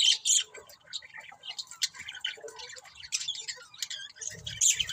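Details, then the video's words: Budgerigars kept as pets chattering in a dense, continuous stream of high squeaky chirps and scratchy warbling notes, with a few louder chirp bursts at start and end. "Cute Budgies Chirping Sounds"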